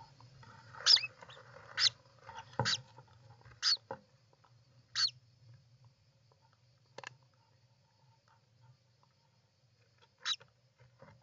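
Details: At a European roller nest, 29 June 2024: a loose series of brief, harsh, clipped calls, about one per second at first, then thinning out, with faint knocks and a steady low hum behind.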